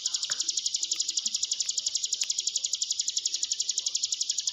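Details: Hill prinia used as a lure track to train a quiet, timid caged bird to sing; a continuous high, buzzy trill of rapid pulses repeated about four times per second, steady throughout, with faint low clicks beneath.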